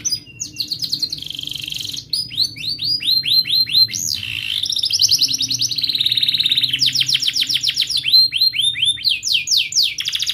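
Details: Tutor song for young canaries, described as sharp chirping and rolling: high rapid trills of repeated upswept syllables, a steady buzzy note, then fast rolling series changing pitch and speed through the phrase.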